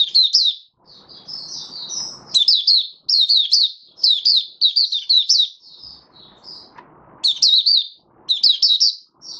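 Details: Caged mata puteh raja, the oriental white-eye, in full song after routine deworming: high, bright twittered phrases in quick clusters separated by brief pauses, with faint low rustling in places.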